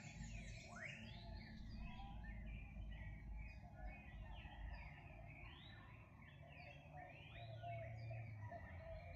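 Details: Wild birds singing together in the morning: many overlapping chirps and arched, rising-and-falling whistled notes from several callers, with a steady low rumble of background noise underneath.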